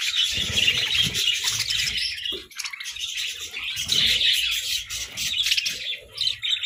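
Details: Budgerigars in playful food battles, with busy high chirping that swells and dips and rough squawky notes, plus recurring low thumps and rustling.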